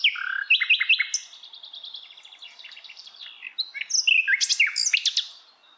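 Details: Song of a Hill blue flycatcher in the wild: fast varied warbling of clear whistles, short trills and sharp high notes running almost continuously, with a brief quieter stretch midway.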